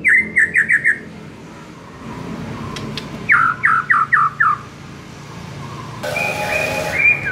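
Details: ['White-rumped shama (murai) master recording meant to make a murai start singing at once: two rapid bursts of five harsh, squawky notes, with a faint low hum and a burst of broadband noise near the end.']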